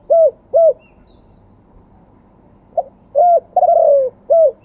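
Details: In Thailand, a spotted dove sings in the wild-type "2 kuk" style: paired short low coos, a silence, a clipped note, a coo, a long falling coo, and one more short coo.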